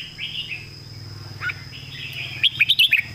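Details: Caged red-whiskered bulbul, a Thai competition bird, warbling smooth whistled phrases over a low hum, ending in a rapid string of six sharp clicking taps.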